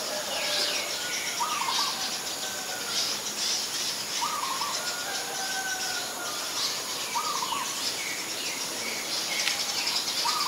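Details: Short mid-pitched call notes of Ashy Woodswallow, repeated about every three seconds, from Ubon Ratchathani, Thailand, 25 February 2022, where it is a very common resident; constant high hiss and faint chirping fill the background.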